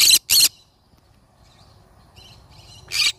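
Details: Yellow-sided conure parrot opens with a quick pair of loud, grating screeches, then soft faint chatter, then one more harsh screech near the end.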